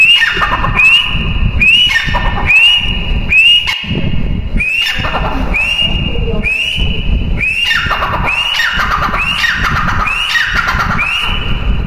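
Grey francolin, female calling: loud, harsh, shrill notes repeated about once a second in a steady series, with a low rumbling background throughout.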